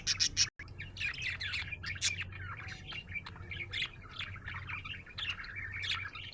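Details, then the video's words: Cheerful budgie chirping in a continuous stream of scratchy warbles, clicks and short whistled notes, with a steady low hum in the background. "Happy budgie chirping sound"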